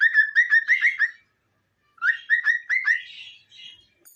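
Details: Cockatiel song of clear whistled notes, each sliding upward, in two quick bursts of about five notes with a short pause between, ending in a softer buzzy trill.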